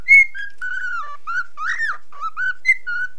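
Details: Pet cockatiel, nine months old, singing to follow a mobile phone: sharp high opening whistle, then a string of held and wavering whistled notes, one bent upward and down, ending on a short bright note.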